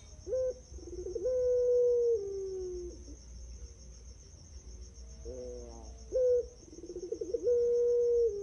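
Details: Barbary dove, a prize-winning singer recorded as a lure to prompt other doves to sing, gives low hollow coos: a short note then a long falling coo, repeated, over a steady high insect-like hum.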